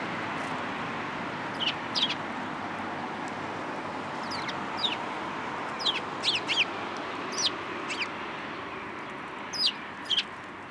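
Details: Sparrows visiting a feeder in a plum tree at a Tenmangu shrine in Japan, 14 March 2023. Short, sharp high chirps come singly or in pairs every second or two over a constant broad background hiss.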